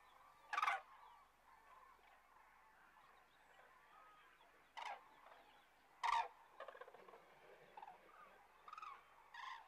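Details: Common cranes resting south of Kastlösa in September, giving loud, rolling trumpeted calls in scattered bursts over a steady murmur of distant flock calling.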